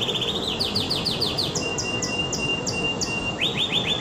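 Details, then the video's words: Singing canary delivering a run of rising, sweeping notes repeated about five times a second, then a long flat whistle under separate high chirps, ending in a fresh burst of rising trilled notes; steady low noise underneath. "تغريدة طائر الكناري"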